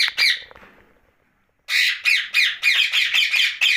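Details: Rose-ringed parakeet kept as a pet, calling at night: two squawks fading away, a short silence, then a regular run of loud, grating screeches.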